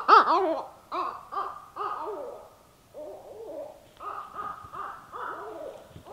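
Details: A pair of barred owls duet one evening in darkness while the recordist camped in north central Kansas, trading loud, wavering hoots and cackling notes, often overlapping; the recordist assumes the calls were mating-related.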